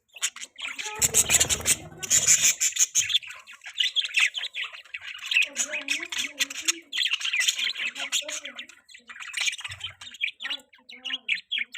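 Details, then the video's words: Pet budgerigar chirping and chattering: a dense, continuous warble of quick high squeaks, buzzy chirps and short squawks with brief pauses, plus a few lower, speech-like murmured notes. "Budgie bird talking sounds|budgie chirping sound"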